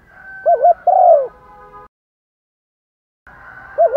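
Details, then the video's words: Decoy spotted dove cooing in the morning to lure wild doves: low, hollow coos in a quick rising-falling pair, then a longer slurred coo, with steady faint whistling tones behind and an abrupt silent gap before another coo. "chim cu mồi gáy gọi bổi buổi sáng. tiếng chim cu gáy kích bổi nhanh nổi"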